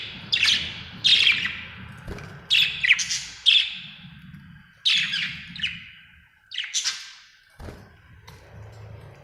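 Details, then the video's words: Happy budgerigar giving irregular scratchy chirps, singly and in short clusters, with pauses between, a steady faint tone and occasional low knocks behind. "Happy budgie chirping sound"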